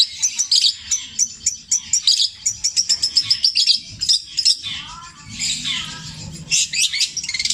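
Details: Long-tailed shrike from Java, Indonesia, pouring out imitations of tengkek buto, kuntilanak and sparrow calls, petir style, long and repeated. Quick bright chips come in runs, then a stretch of harsh scratchy notes and a few descending slurs.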